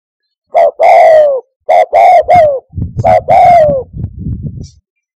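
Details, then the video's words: Spotted dove calling, played to draw doves to a hunting hide. Short notes and long falling coos come in rapid pairs over soft low-pitched background rumble and thuds. "COCOK UNTUK NYANGGONG - SUARA TEKUKUR TERBAIK NO 10"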